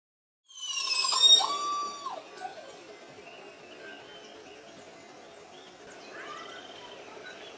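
A crested oropendola gives a loud, rich burst of gurgling, metallic notes and a steady whistled tone, then quieter squeaky phrases over a soft background hiss.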